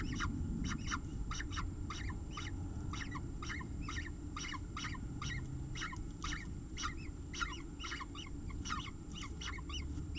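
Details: Peregrine falcon at a nest with eggs at CSU Orange, 5 October 2018, 4:27 pm; harsh, clipped calls repeated rapidly and fairly steadily throughout, over a constant low rumble.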